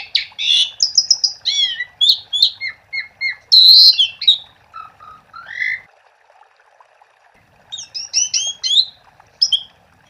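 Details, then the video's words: Vigorous song of an Asian pied starling used to draw other starlings into song: a rapid chain of whistles and chirps with one loud harsh burst, lower slurred notes, a pause, then more high whistled phrases. "Suara Jalak Suren Gacor untuk Pancingan"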